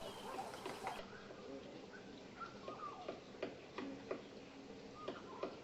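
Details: A male Cardinal woodpecker forages by pecking a branch in a dead Natal Fig tree in KwaZulu-Natal, South Africa: a loose, irregular series of sharp dry taps, some in quick pairs, with faint whistles of other birds beneath.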